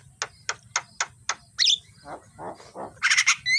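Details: Javan myna singing in the morning, a tutor recording used to train birds: five sharp broadband clicks about every quarter second, then a squeaky upswept note, several low buzzy rasping phrases and a burst of harsh chattering notes.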